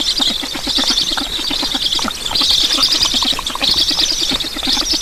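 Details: Estonian black storks being fed at the nest, 9 July 2019, 7:15. A continuous breathy hiss swells and fades, with rapid low ticking pulses underneath.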